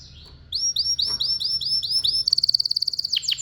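Domestic canary singing: a run of about eight rising whistled notes, then a fast buzzy trill and quick downward sweeps.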